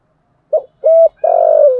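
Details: Spotted dove in the 'thổ sấm' cooing style, used to excite a decoy bird: a single low phrase, a short clipped note, a steady coo, then a long vibrating coo that slides slightly down.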